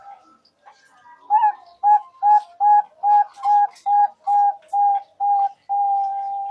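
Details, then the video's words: Zebra dove (perkutut) song used to lure birds for trapping. A faint start leads into ten evenly spaced, clear, whistled coo notes and ends in a long, steady held note. "Pancingan Perkutut FULL,perkutut Bangkok,Pikat perkutut,perkutut lokal gacor"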